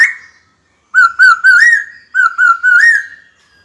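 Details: Singing white-cheeked laughingthrush in training, calling a rival to fight: clear, slightly warbling whistles in two bursts of three or four joined notes, rising at the end of each burst.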